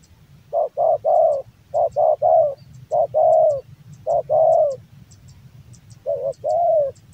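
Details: Spotted dove, a male kept for song in Java, repeating low hollow phrases: short stacked coos then a longer falling coo, about four phrases in seven seconds, light ticking noises behind.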